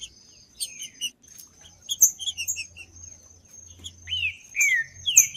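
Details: Green-winged saltator singing in the judas style to warm up a cold bird: busy high chirping at first, then two or three loud, downward-sweeping whistles near the end, with a thin steady tone throughout.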